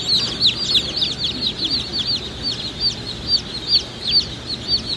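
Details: Group of Black Australorp chicks at a hatchery giving loud, shrill peeps, each a quick rising-falling note, crowded together in an uneven stream over a low hum.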